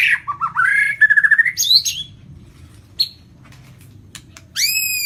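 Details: White-rumped shama of Lampung stock singing a full 'isian' repertoire: warbled rising and falling phrases, then a quick trill of about six pulsed notes, a quiet stretch with single clicks, and rich downslurred whistles at the close.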